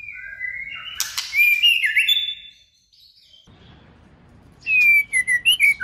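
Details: Female white-rumped shama in 'forest voice' song, meant to stimulate males: rich, fluid whistled phrases sliding up and down with harsh buzzy overtones, a pause of near silence, then a fresh burst of quick, slurred whistles.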